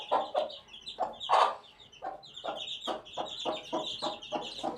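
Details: Eighteen-day-old chick of the domestic chicken peeping in high, slightly wavering notes, mixed with louder broadband knocks, strongest early on, then regular taps.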